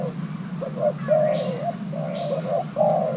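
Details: Brief burst of cooing from a young male Thai hybrid spotted dove during pairing: a few quick clipped coos then longer mellow ones, over a steady low hum.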